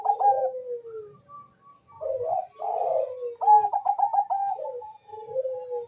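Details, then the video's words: Bangkok-type zebra dove calling very fast with a rival replying: long coos gliding downward, a thin steady tone, then a brisk volley of staccato notes trailing into softer falling coos. "suara perkutut bangkok gacor memanggil sangat cepat di sahut lawan cocok untuk pancingan"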